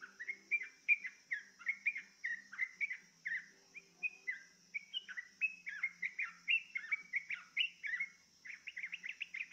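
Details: Sooty-headed bulbul prompted to sing by a lure, producing a fast run of bright chirping, slurred notes, several per second and uneven in spacing, with a constant high-pitched hum behind.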